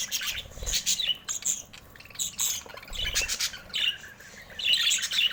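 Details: Budgerigar squawks and chirps arrive in separate bursts with brief gaps between them; the notes are harsh and high, and the last burst is the loudest.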